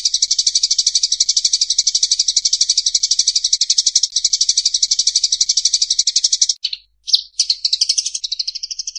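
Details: Eurasian tree sparrows fighting, in a clear recording: a harsh, rapid chatter of high buzzy notes, about ten a second, briefly broken near the end and then resuming.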